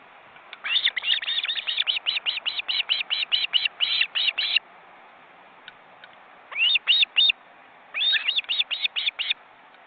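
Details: Wild ospreys and their well-grown chicks at a nest in an Estonian forest reserve, recorded by webcam. Rapid bursts of sharp, slightly rising piping calls in three groups separated by short pauses, over a steady background hiss.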